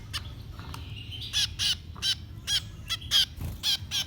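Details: Baby birds begging during feeding: loud, rasping screeches repeated about twice a second with bright whistled overtones, some in quick pairs, after a few softer chirps.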